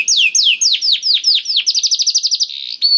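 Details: Canary song for prompting a reluctant canary: slow series of broad falling whistles, then speeding into a rapid even trill, ending with a single rising whistle.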